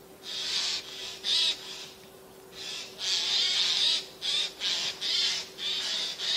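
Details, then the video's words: Eurasian jays in spruce trees, one seen atop a spruce, keep up a busy series of about ten hoarse, noisy screeches, some running together, on 13 September 2024. "Голоса соек"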